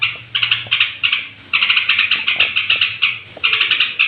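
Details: Straw-headed bulbul (trucuk) singing near bedtime to rouse other bulbuls: bursts of bright, chattering notes in short phrases, separated by brief pauses, with faint low background hum.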